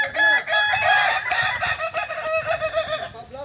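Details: Kukuak balenggek roosters crowing during a contest final in Ampang Kualo, Kota Solok, 8 September 2024; dense overlapping crows with wavering, looping notes run throughout, broken by sharp clicks.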